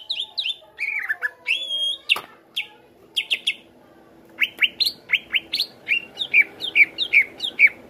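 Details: Greater green leafbird singing to draw other birds into song: mixed slurred whistles and chirps, a sharp crack, then a lively series of rising notes and bright repeated chirps.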